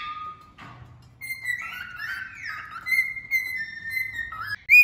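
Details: Male cockatiel singing a lot; long sustained whistled notes with slow wavering bends and pitch steps, a continuous melodic phrase ending in a sharp louder note.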